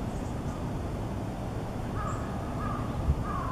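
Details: A varied tit, filmed fairly close while pecking at tree buds, gives a few drawn-out, nasal, slightly wavering "nii-nii" notes in the second half, over a steady low rumble of background noise.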